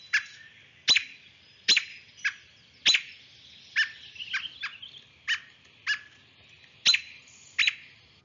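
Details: An agitated American robin (Turdus migratorius) gives sharp, piercing 'peek' alarm notes about once a second, with quicker, softer chatter notes between them. This alarm is given when a nest or fledgling is disturbed.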